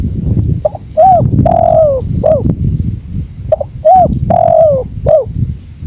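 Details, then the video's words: Two spotted dove phrases over windy rumble: soft double notes, a rounded coo, then a long, wavering, falling coo and a short final note, repeated in the same pattern. "MASTERAN TEKUKUR 2024||PADUAN suara ANGIN ALLAM"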